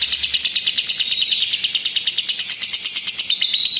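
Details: Lovebird giving a long ngekek, a model for teaching lovebirds to draw out their trill: shrill, fast, unbroken rattle of tightly repeated high pulses, steady in loudness throughout.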